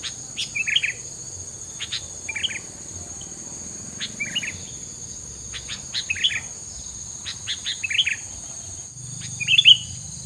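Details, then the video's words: A songbird repeats short, bright, chirpy phrases of a few quick notes each, roughly every one and a half seconds. A steady high hiss and buzz runs underneath throughout. "JANGAN LANGSUNG FUL VOLUME KALOK GAK INGIN BURUNG KAMU DON"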